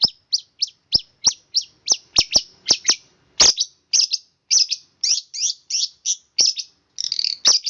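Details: Long-tailed shrike singing a fast, tightly packed rolling song, short high buzzy notes repeated roughly every third of a second with occasional sharp clicks between them.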